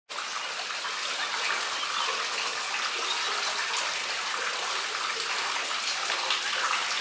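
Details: Broad hiss of rushing, splashing water runs throughout, with no animal sounds heard.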